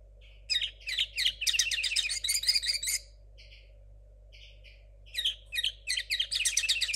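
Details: Immature linnet hybrid, bred in 2022 with song not yet settled, pours out a dense, rattling twitter of high notes, pauses with a few soft separate calls, then resumes an equally rapid chattering burst.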